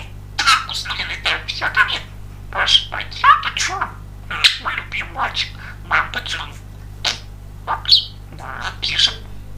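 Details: Pet male budgerigar, described as very chatty, talking indoors and said to greet with "Salam alaikum": rapid, high, scratchy chattering bursts with squeaky whistled notes, about a dozen phrases over nine seconds, low steady hum beneath.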